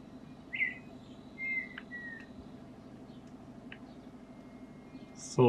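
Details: Red-winged tinamou walking on a backcountry road in the Bahia sertão, filmed from a car, sings a few short clear whistles, the first brighter, then two fainter, before entering the brush; low vehicle rumble, sharp knock at end.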